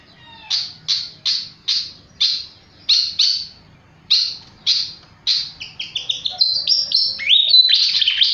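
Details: Flycatcher in vigorous song: sharp, high descending notes repeated about every half second, then a quickening string of rising and falling whistled phrases that ends in a dense, continuous trill.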